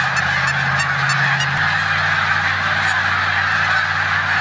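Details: Migrating snow geese gathered in a corn field in Savannah, New York, on 14 March 2020, alongside resident Canada geese; a continuous wall of yelping honks over a low steady hum.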